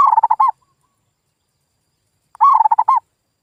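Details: Zebra dove lure call used to stir silent local doves into calling: two fast, bubbling coo phrases about two seconds apart, clean and free of background noise.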